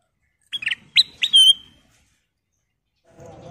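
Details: Persistent golden-coloured sooty-headed bulbul singing as a lure for other birds: a rapid cluster of clear whistled notes ending in a longer held whistle, followed by silence and a faint low rumble.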